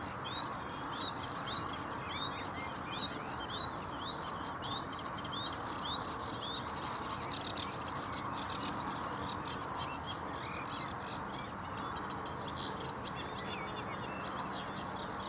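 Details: Sedge warbler singing at Vange Marsh RSPB, 7 May 2016: long, hurried stream of grating clicks, buzzy bursts and thin whistles, swelling louder midway, with constant marsh noise underneath.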